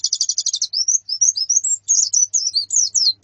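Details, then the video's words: Female white-eye and colony calling to spur a male to sing: a quick stuttering burst of high notes, then flowing rising and falling whistled slurs without pause. "Suara Pleci Betina dan Koloni Untuk Terapi Kicau Pleci Jantan"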